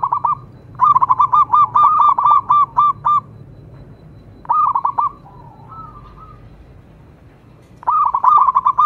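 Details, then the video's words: Zebra dove, local type, performing: a fast string of rolling hoots, a shorter burst, a soft wavering coo, then another rapid hooting run at the close. "cukup sekali dengarkan perkutut lokal ini manggung"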